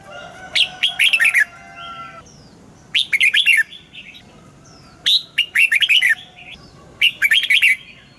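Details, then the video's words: Red-whiskered bulbul in captivity, morning song for training in the double-note wild style: four similar cheerful phrases of fast, rolling whistled notes, repeated roughly every two seconds. "Luyện giọng cho chào mào hót sáng, ép chào mào hót âm kép già rừng hay tuyệt!"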